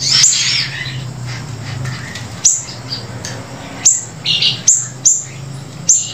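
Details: Grey-breasted prinia song joined with siri-siri song: scattered high downslurred chirps every second or so over a steady low hum, after an opening burst of scratchy notes.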